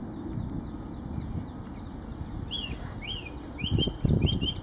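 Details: Song thrush in song at Kensington Gardens on 4 January 2019, winter; clear whistled phrases and short notes repeated in series, with a burst of louder low rumbling and thumps near the end over background city noise.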